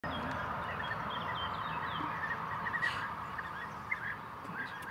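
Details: Many bee-eaters in France call at once: short, liquid, rolling chirps, several a second, overlapping into a busy chatter over a steady background hum.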